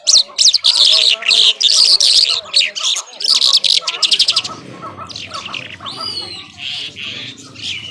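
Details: Irani Mashadi skylark, or jhal, delivering loud rapid bursts of harsh, buzzy chatter for about four seconds, then softer slurred whistles and thin trills over a steady low hum.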